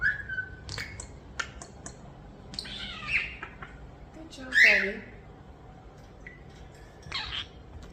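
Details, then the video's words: Pet European starlings, about a year old and hand-raised after falling from their nest, make a whistled note, harsh squawky bursts, clicks and a buzzy descending call indoors while a woman praises them softly. "Starlings Talking, Sound Effects, & Playing"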